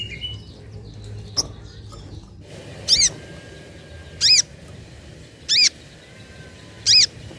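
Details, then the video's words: Sunda pin-striped tit-babbler used as a lure, giving short loud high calls with a descending harmonic pattern, each burst repeated about every one and a half seconds, over a low background hum. "Pancingan Burung Sogok Ontong ( Sogon )"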